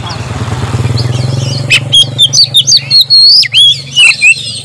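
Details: White-rumped shama song meant to set off other birds: a passing motorcycle rumbles at first, then loud sweeping whistles and sharp chips follow.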